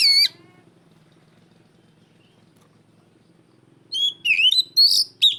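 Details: Oriental magpie-robin calling loudly to challenge a rival: one short slurred whistle, a long pause with faint low hum, then a burst of sharp, descending and rising whistled notes near the end.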